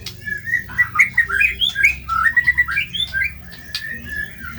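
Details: White-rumped shama in energetic, harsh-material song for bird training: a rapid stream of rich whistles and slurred warbles, rising and falling, about two notes a second at times, over a constant low background hum.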